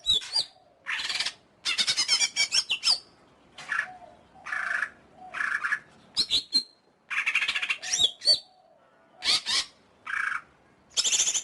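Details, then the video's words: Song of a greater green leafbird, a long varied medley of harsh raspy bursts, rapid chatter, sliding whistles and brief pauses, phrases following one another quickly. "Suara Burung Cucak Ijo"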